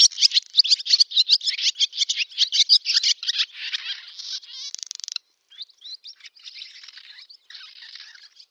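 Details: Singing barn swallow in summer, village in Novgorod oblast, Russia, 8 August 2013: quick rhythmic twitter notes, then a dry grinding rattle ending abruptly, followed by softer scattered twittering.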